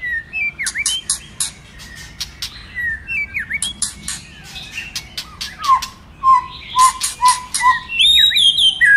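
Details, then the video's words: White-rumped shama's varied training song to get other shamas singing: dipping whistles and sharp clicks early, later a string of low, evenly spaced looping notes about twice a second, ending with high rising warbles. "Kích Chòe lửa hót nhiều giọng"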